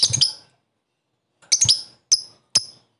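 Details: Lovebird 'koek' calling at a rival to raise other lovebirds' excitement; a short cluster of piercing chirps, a pause, then another cluster and two single sharp squeaks.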